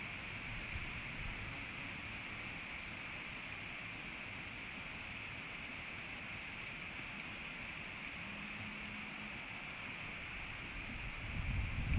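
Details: Steady broadband hiss and low rumble with no animal sounds, growing slightly louder at the end.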